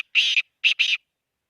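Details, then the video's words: Black francolin call recorded in Khushab: harsh, raspy notes in short grouped bursts, one long grating note followed by a clipped pair, with silence after. "kala teeter ki awaz"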